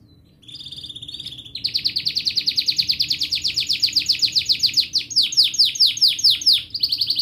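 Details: Persistent canary song, used to get young or silent canaries singing: a short buzzy note, then a long, very rapid high trill of repeated chips that gradually speeds and brightens.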